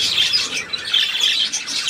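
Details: Budgerigar recorded on 3 April 2017: dense, busy warbling chatter of rapid high chirps and twitters, rising and falling in waves roughly every half second.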